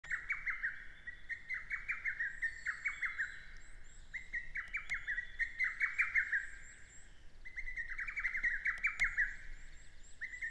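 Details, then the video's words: Lesser cuckoo (Cuculus poliocephalus) in Shinetsu satoyama countryside, Japan, early June, singing from high perches, repeating a loud, hurried staccato phrase of five or six notes about every four seconds; faint high calls of another bird behind. "ホトトギス 鳴き声"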